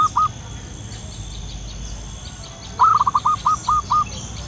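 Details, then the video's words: Local wild zebra dove giving its lure call outdoors: a clipped rolling note, then a string of about six quick staccato coos at even spacing, over a steady faint high hum. "suara pikat burung perkutut lokal gacor di alam liar"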